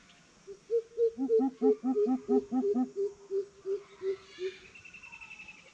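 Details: Greater coucals in a challenge: a higher series of hollow hoots overlaps a deeper one for a few seconds. The hoots then slow and fade, followed by a faint, thin, high trill.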